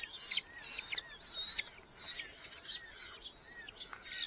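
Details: Several Red-footed falcon eyases calling from a nest box in a large Hungarian colony, July 2025; a steady high thin whine rises and falls, broken by short sharp notes and soft flutters.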